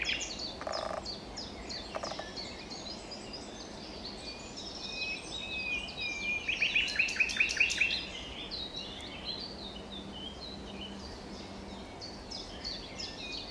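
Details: Common nightingale singing at Wijgmaalbroek on 22 April 2020: a thin whistled note breaks into a loud, rapid burst of repeated notes, over a busy chorus of other birds.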